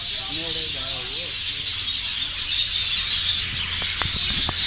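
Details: Parrots on a breeding farm, about a hundred talking parrots in cages: a short, wavering, speech-like phrase opens over a constant high hiss of many parrots chattering and screeching together, with a few sharp squawks near the end.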